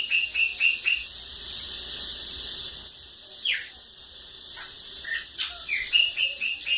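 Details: Song of a Bananaquit, style named cachorro loco da lagoa d'água: a long series of quick, very high, sharp descending ticks repeated about twice a second, plus a few lower squeaky notes.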